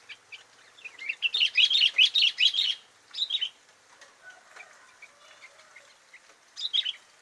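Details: Sooty-headed bulbul in lively filler song: an intense burst of rapid, high, tumbling chirps lasting over a second, then a short trill and softer scattered notes, ending with another brief bright chirpy phrase.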